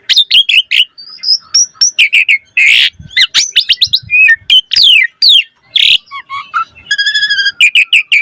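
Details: Richly varied 'isian mewah' song of an Asian pied starling used as a singing lure: dense chattering chips, high thin whistles, harsh squawks, looping slurs and a metallic buzzy trill near the end.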